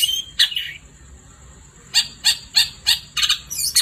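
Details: Long-tailed shrike singing energetically at night: an opening harsh note, a pause, then a rapid string of short rasping calls about three a second ending in a twisting high phrase.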